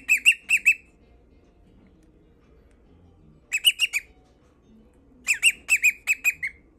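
A cockatiel sings in quick bursts of harsh, chirping notes, a courtship display.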